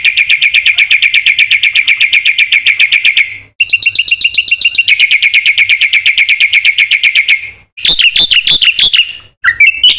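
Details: Loud, continuous rapid trilled chatter from a black-winged myna singing 'gacor' as a lure for other birds, in long unbroken runs with short pauses, followed by harsh mixed squawking notes.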